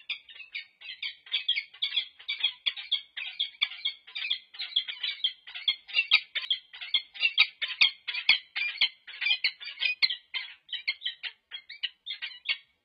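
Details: On 26 November 2023 at UC Berkeley, the peregrine falcon pair Annie and Lou, pair-bonding but alert to interlopers, give harsh, rapid, grating calls, about twice a second, in a continuous chattering series.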